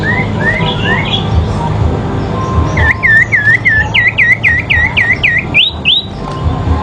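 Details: Fighting sooty-headed bulbul, the song used as training therapy: a few soft rising whistles, then a loud series of about ten dipping, U-shaped whistled notes in quick succession over a low hum.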